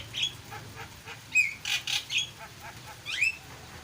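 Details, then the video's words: Starling singing energetically: a mix of short whistled notes, harsh chattering bursts and rising slurred whistles, loudest in brief phrases with pauses between. "burung jalak gacor"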